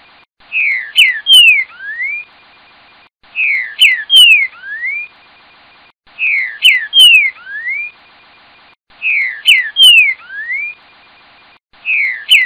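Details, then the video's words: Green-winged saltator repeats one clear whistled phrase every three seconds, a few slurred falling notes ending in a rising whistle, with nothing else heard. "TRINCA FERRO CANTO TEL TEL FIU BOI"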